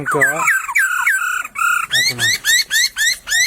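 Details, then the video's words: Laughingthrush singing in the wild in a bamboo thicket: harsh nasal, harmonic notes open the phrase, then a fast run of about six loud rising, slurred whistles repeated roughly every quarter second. "Burung POKSAY berkicau di semak bambu"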